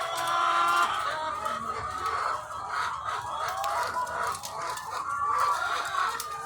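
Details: Thousands of egg-laying chickens on a farm, a continuous crowded chorus of drawn-out wavering calls and clucking, loudest at the start and near the end.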